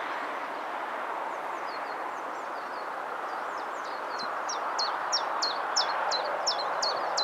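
A common chiffchaff sings a steady string of high, sharp notes, about three each second, that grow louder and clearer. A steady roar, like distant traffic or wind, runs underneath.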